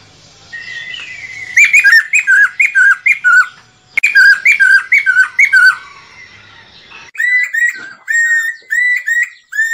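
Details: Lesser necklaced laughingthrush in full song, used to draw birds into traps; three runs of loud, clear whistles, each note bending up and down, repeated about twice a second with brief pauses between runs.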